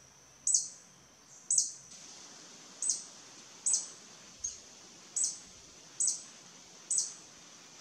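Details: Territorial violet sabrewing hummingbird, wild in Costa Rica, giving eight piercing high-pitched chips spaced a little under a second apart. The chips are steady and emphatic over faint background hiss.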